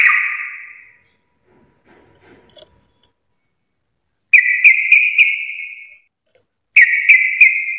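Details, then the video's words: Sooty-headed bulbul (trucuk) singing in garuda style: a fading buzzy note, near silence, then two separate harsh, ringing phrases, each built from a few strongly accented notes over a sustained tone. "trucukan gacor full Garuda parah"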